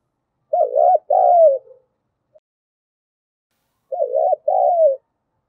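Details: Decoy spotted dove cooing in the 'giọng thổ' style to provoke other doves to call. Two soft phrases about three and a half seconds apart, each a short wobbling note followed by a drawn-out downslurred note. Quiet background.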